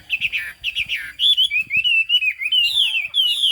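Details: Hwamei with turmeric-coloured bill and fig-leaf tail giving cao cầu song: short clipped notes at first, then a long flowing run of warbled, rising and falling whistles.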